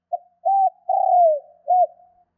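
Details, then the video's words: Spotted dove lure call aimed at rousing wild doves quickly: a soft opening note, an arched coo, a long coo sinking in pitch and a final rounded coo, one clear phrase in quiet surroundings. "Tiếng chim cu gáy kích bổi nhanh nổi"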